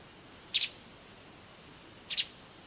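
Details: A streaked spiderhunter in Kaeng Krachan National Park gives two sharp, high double-note chips about one and a half seconds apart, over a steady high insect drone.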